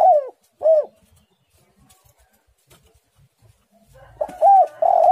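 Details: Spotted dove singing actively, described as a tight, pressing voice: a mellow mid-pitched cooing phrase of two arched notes at the start, a quiet gap, then another phrase of arched coos ending in a long drawn coo.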